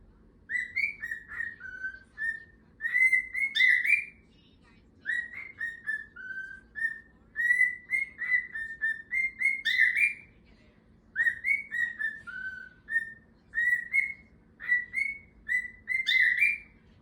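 A cockatiel whistles a repeated tune of warbling notes with sharp chirps mixed in.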